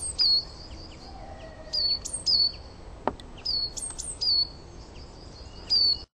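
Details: Coal tit singing in a garden, showing one of its song variations: bright, high, see-sawing two-part phrases repeated about every one and a half seconds, five phrases in all, with a single sharp click midway.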